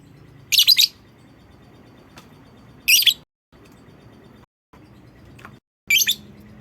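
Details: Lure call of a lovebird to get other lovebirds calling: three brief, scratchy, high chirp bursts spaced about two and a half seconds apart, with faint ticks between them and a low hum.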